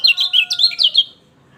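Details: Song of a lemon-bellied white-eye, played to get a quiet bird singing: about seven fast, sharp, high twittering notes in a tight burst, ending abruptly in near silence.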